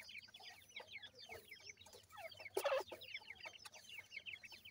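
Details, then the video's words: Young grey francolin chicks, a week old, peep rapidly while feeding; many shrill down-slurred notes overlap, and a brief louder burst of noise comes midway. "Voice of Gray Francolin Pheasant bird Chicks"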